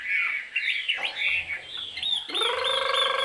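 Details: A Chinese hwamei, a fierce-faced bird that sings loud, high song, gives varied whistled phrases that switch midway into a rapid, rich run of repeated notes.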